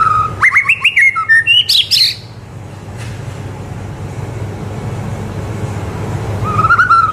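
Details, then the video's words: Loud song of a white-rumped shama, played as a tutor for young birds: a fast, varied burst of sharp chirps and whistles climbing higher, then near quiet with low hum, closing on a long rising whistle. "MURAI BATU GACOR COCOK BUAT MASTERAN MURAI BATU MUDA AGAR CEPAT IKUT GACOR DAN MONCER"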